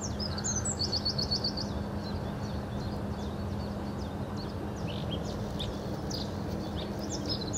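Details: Bluethroat singing at Hobokense polder on 21 March 2012: a quick run of high, evenly repeated chipping notes, then scattered varied sharp high notes, over a steady low hum and background noise.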